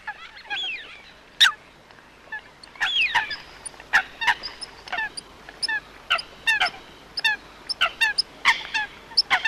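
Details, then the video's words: Coot giving brief honking notes, spaced irregularly at first and then coming faster and more regularly, mixed with sharp ticking clicks and a quiet hiss behind. "Coot best voice call"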